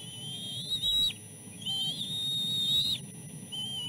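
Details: Nestling birds begging during a fish feeding, three chicks jostling for food; drawn-out high whistles, first a short one, then a long steady whistle slightly rising and falling, then a brief closing note over low background rumble.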